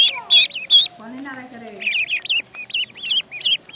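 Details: Duckling in a pond: two or three loud, piercing calls, then a low, drawn-out murmur, followed by a string of high, down-slurred peeps.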